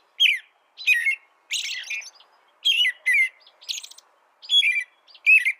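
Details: Caroling song of an American robin, used as training material for birds, with about nine short whistled phrases in under six seconds. Some phrases are clear and falling, others harsher and more complex, over a silent background.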